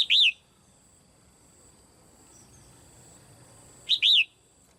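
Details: Red-whiskered bulbul female kept in a cage, her calls meant to excite other birds to sing: two matching phrases of a clipped note plus an arched, whistled slur, about four seconds apart, low background hum.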